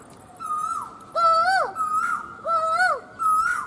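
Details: An Asian koel, seen from a terrace in the evening, repeats clear whistled notes that rise and then drop, about five in under four seconds, over a faint background hiss.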